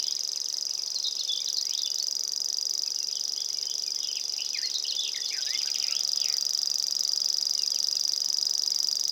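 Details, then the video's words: Common grasshopper warbler song filmed in Estonia: a sustained, even, high-pitched reel like a ticking insect, with bursts of short chirps from other birds, busiest in the middle. "Common grasshopper warbler"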